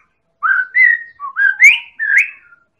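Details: Medan White-rumped shama whistling to provoke other birds into song: five clean, sweet whistled notes, several sliding upward, delivered in a quick even sequence.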